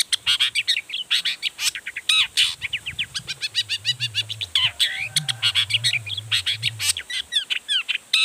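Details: Long-tailed shrike in nonstop, emotional song meant to make other shrikes answer. A dense stream of sharp chips, buzzy notes and whistled slurs runs throughout over a faint low hum.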